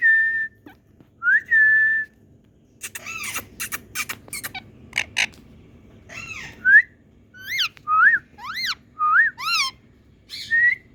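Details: Rose-ringed parakeets from India calling: a series of short, loud, harmonic notes, each rising sharply and some held briefly. They come in irregular bursts about every second, mixed with clicking and tapping noises in the middle.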